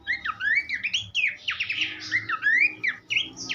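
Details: Horsfield's babbler singing for songbird tutoring, quick looping whistles and scratchy chirps flowing almost without pause.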